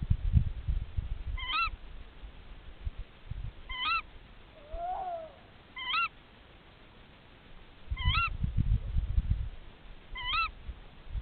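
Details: Tawny owl mates calling to each other at the nest; short sharp upswept calls repeated about every two seconds, five in all, with one lower wavering note between and low rumbling handling noise.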